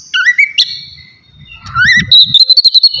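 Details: Oriental magpie-robin in relaxed ngeplong song meant to provoke emotion and breeding drive: two rising whistled slurs separated by a quiet pause with faint low rumble, then a rapid series of short high chirping notes.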